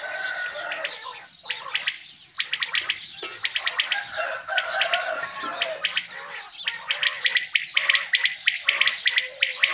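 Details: Quail calling in the morning, in a dense, overlapping chorus of sharp, high chirps and short whistled notes, with many birds at once in an irregular rhythm.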